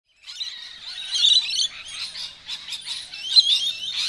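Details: Rainbow lorikeets in suburban Melbourne, an unusually large number foraging together and fighting aggressively over food, give shrill, screechy squeals and chattering, rising and falling in loud overlapping bursts with thin high whistles above.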